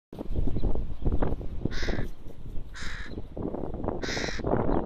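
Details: Young crow in the Rosental park, Leipzig, Germany, giving three harsh, hoarse caws, each roughly a third of a second long and spaced about a second apart, over a steady low rumble of background noise.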